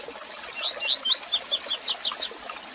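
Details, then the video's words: Tui-tui zel-zel song of a double-collared seedeater, played as a teaching model for young birds; soft rising whistles open the phrase, then about eight quick descending paired notes follow in an even, rhythmic series. "Coleiro Tui Tui Zel Zel Para Encarte de Pardinhos"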